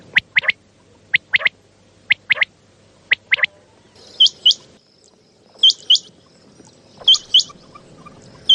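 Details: Common quail calling at night, a recording used to lure quail for hunting: sharp triple-note bursts, high and clipped, repeated about once a second, later joined by higher hooked whistled notes.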